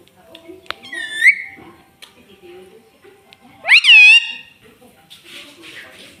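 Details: Indoor pet parrot that talks, saying words such as 'mitthu': two separate harmonic, rising vocal sounds about two and a half seconds apart over a quiet room with low murmurs.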